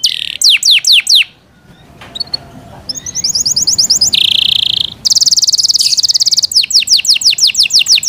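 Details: Yorkshire canary song in bursts: quick descending whistles, a brief pause with faint ticks, then a buzzy high trill, a dense rattle, and more falling whistled notes.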